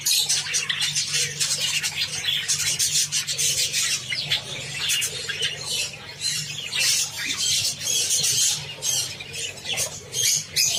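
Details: Java sparrows eating wheat, giving repeated sharp, high chips and dry clicking taps in irregular clusters across the whole stretch, a few clearer whistled squeaks standing out near the end, over a soft low hum.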